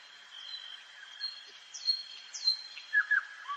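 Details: Nightingale singing in a forest at night: scattered high whistled slurs, then paired louder downward notes and a low closing whistle, over a thin continuous high tone.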